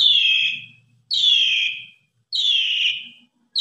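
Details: Asian pied starling in a tutor recording for beginner birds, giving loud drawn-out descending whistled notes, each about a second long and repeated roughly every 1.2 seconds.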